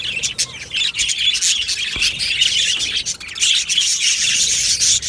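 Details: Budgerigar colony in an aviary, many birds chirping at once: a dense, continuous chatter of high twittering notes, warbles and short squawks overlapping without pause, with occasional brief clicks.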